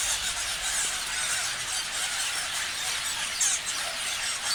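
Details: Parrots in a crowd keep up continuous shrill chirping, overlapping squeals blending into a steady bright chorus.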